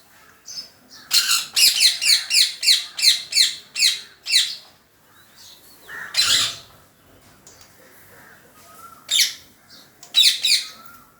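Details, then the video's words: Pet parrot making funny noises indoors: a rapid run of about ten sharp, squeaky chirps, then a louder squawk and a few scattered harsh notes with quiet pauses between. "Parrot making funny noises"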